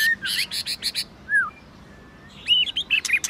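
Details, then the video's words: White-rumped shama in competition-style song: a rapid string of buzzy chattering notes, one falling whistle, a pause, then quick twisting whistles and clicks. "Kích Chòe lửa hót nhiều giọng,Nghe nhanh Căng, Kích chòe lửa hót nhiều giọng hay.chòe lửa hót đấu"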